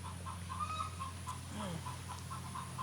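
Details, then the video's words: A farm hen that has just laid an egg gives its egg-laying song. Quick, clipped clucks repeat several times a second, fairly distant, over a steady low hum with a brief voice. "I don't know if you can hear that chicken just laid an egg, so it's singing its chicken egg laying song."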